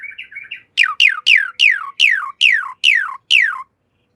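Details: Javan pied starling song for training cage birds: soft chattering notes, then nine loud, sharply falling whistles at an even, quick pace.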